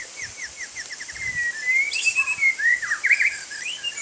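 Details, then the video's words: Bathing in rain, a white-rumped shama gives a quickening series of short downslurred notes, then loud sweeping whistles and warbled phrases, with rain hissing throughout. "Murai Batu Main Hujan"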